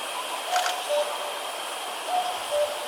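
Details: A far-off common cuckoo in Vietnam gives two quick descending 'coo-koo' calls, soft and hollow, against a constant hissing background.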